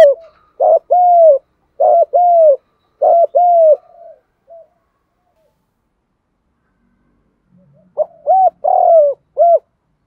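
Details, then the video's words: Spotted dove in the vigorous thúc gù cooing style, delivering short bursts of low mellow paired coos, a pause of several seconds of silence, then another run of three to four deep rounded coos. "Chim cu gáy Thúc Gù bài bản giọng khỏe sung mãn"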